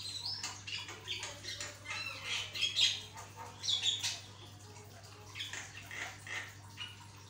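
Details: Javan myna in full vigorous song, used to prompt other mynas into singing: dense bursts of raspy, noisy squawks and scratchy chirps, loudest in the first four seconds, then softer scattered notes, with a constant low hum beneath.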